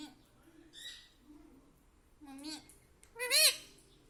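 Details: Talking pet parrot trained to say "mummy papa"; faint low murmurs and a squawk, then a rising-falling voiced syllable and a loud bright arched call near the end.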